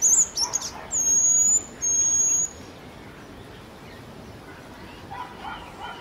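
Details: Jerdon's bush lark (Plocealauda affinis) singing in Kerala: a quick burst of thin, high twittering notes, then two long, level, very high whistles, followed by quiet background hiss.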